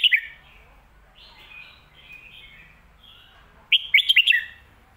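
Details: Red-whiskered bulbul in lak wai / mae bot style: a sharp note opens, soft warbling murmurs continue for about three seconds, then a strong burst of five rapid, clear whistled notes.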